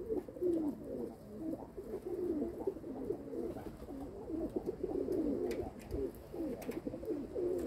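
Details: Kept domestic pigeons give dense, loud, overlapping coos. Deep burbling phrases follow one another continuously, warbling up and down, with occasional soft thumps behind them.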